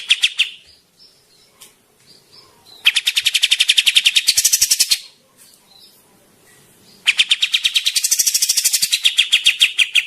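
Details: Cucak jenggot jawa, a Javan grey-cheeked bulbul, singing busily: two long trains of fast, rasping repeated notes with quieter soft calls between them.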